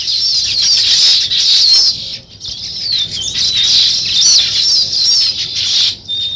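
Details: Weaver birds building a nest chatter in a busy high-pitched chorus of buzzy twitters and wavering squeaks, dipping into a brief lull before the chattering swells again.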